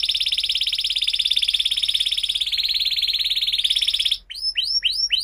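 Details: Canary song used as a lure for young canaries learning to sing: a long, fast, even trill of rapid notes high in pitch for about four seconds, then a few quick upward-sweeping whistled notes.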